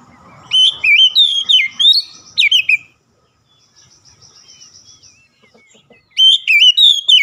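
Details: Oriental magpie-robin song of quick, ringing whistled notes stepping up and down, a near-silent interval with a faint high trill, then the song resumes.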